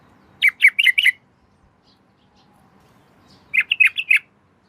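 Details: A female yellow-vented bulbul, calling the male at night, gives two matching bursts of four or five rapid, bubbling notes, about three seconds apart, against near silence.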